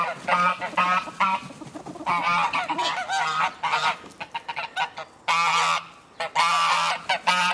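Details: Several geese honk excitedly on being let out of their house in the morning, bursts of loud harsh overlapping honks separated by brief quieter gaps, with a faint low hum in the background.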